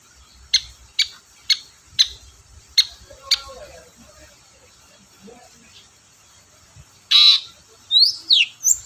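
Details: Long-tailed shrike used as a lure to provoke reluctant shrikes into singing: a run of short sharp notes about every half second, a pause, then louder rasping calls with two quick upward squeaks near the end.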